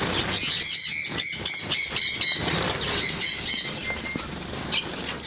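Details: Pin-tailed parrotfinch calling in a steady string of bright, high-pitched chirps, roughly four a second, gradually fading into softer scattered notes and a short thin whistle over faint rustling.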